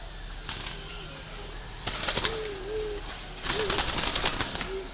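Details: Green pigeon giving soft, mellow whistles that wobble gently in pitch, one drawn-out wavering note followed by shorter bent phrases, with bursts of rustling and crackling noise between them.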